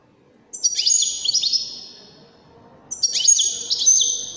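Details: European goldfinch, Wedani variety from Morocco, delivering two phrases of sweet high twittering, each opening with quick downward-slurred notes and running into a sustained buzzy trill, about 2.5 seconds apart.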